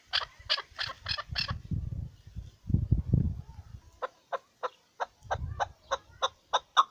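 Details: Chukar partridge, the hunting chakor, gives a short burst of sharp clucks, then a pause filled with low rumbling handling noise, then a spaced series of crisp chuk notes.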